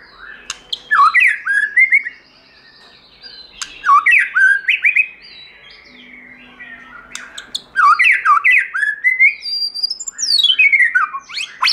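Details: White-rumped shama in forest-voice song: loud rich phrases of rising and falling whistles and chattering notes in bursts about every three seconds, separated by short pauses.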